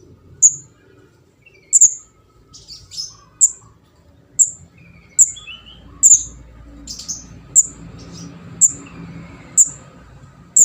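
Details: Juvenile orange-headed thrush (kemade jawa or ndas abang) begging, a sound used as a trapping lure; around a dozen short, shrill, very high notes spaced about a second apart, with faint lower chirps and a soft background rumble.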